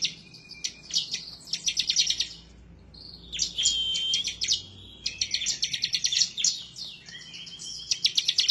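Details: Bar-winged prinia singing emotionally and persistently as if seeking a rival. Fast rattling phrases of high clicks alternate with drawn-out thin whistles, the bursts pausing briefly and restarting.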